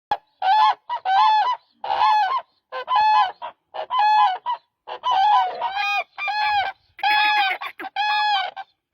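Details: Demoiselle crane, known locally as koonj, calling: a run of loud, harmonic, rolling honks at roughly one per second, some overlapping as if several birds call together, with short silent gaps between.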